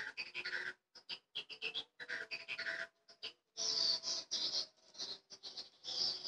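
Swiftlets twitter in quick bursts of high, buzzy chirps and chattering trills, separated by brief pauses, in a close, looped lure recording.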